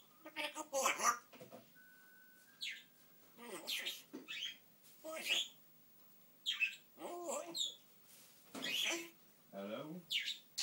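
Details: Indoor pet African grey parrot chattering in short word-like phrases broken by clear whistles and chirps, one brief steady whistle note held near the start, phrases spaced a second or so apart.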